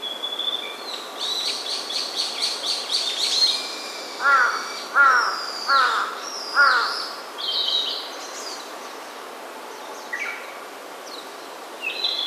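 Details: Wild birds in primeval forest on Ujina Island, Hiroshima, near the city: thin high whistles and chattering trills, then four loud harsh cawing calls about a second apart, followed by scattered short chirps.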